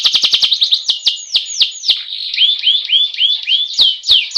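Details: Canary rolling song meant as training material for other birds: an opening burst of rapid clicks, loud downward-slurred notes, then a run of rising whistles and sharp falling accents.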